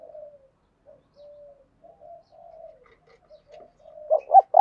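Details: Lure spotted dove: a run of soft, low, drawn-out coos and murmurs, building at the end into loud, stuttering coo notes.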